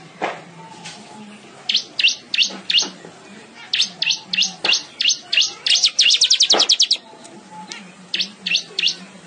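A weaver sings bright, high chirps in quick bursts, building to a fast rattling trill, over a faint low hum.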